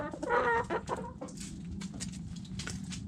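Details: Backyard hen eating food scraps, giving a clear drawn-out harmonic cluck at the start followed by a short note, then soft pecking and clicking noises beneath a low hum.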